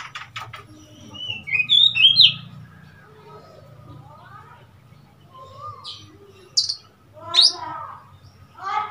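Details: Oriental magpie-robin recorded on 3 March 2021: scattered clear whistles and chirps, some rising or falling slurs and short buzzy notes, separated by quiet gaps, over a low steady hum.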